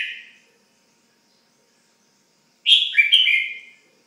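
A red-whiskered bulbul gives a bright, liquid phrase of a few quick whistled notes, rising then dipping, after the fading end of an earlier note. Nothing else is heard.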